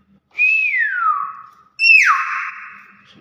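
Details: Nias hill myna giving two loud whistled notes: the first swells briefly then glides smoothly downward, the second drops sharply after a bright onset and holds a steady, slightly buzzy tone; faint human voices nearby.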